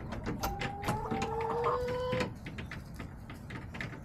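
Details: Backyard chickens on October 10, 2024: a drawn-out, level, harmonic call holds for almost two seconds over soft tapping and clicking sounds, then fades to quiet scratching.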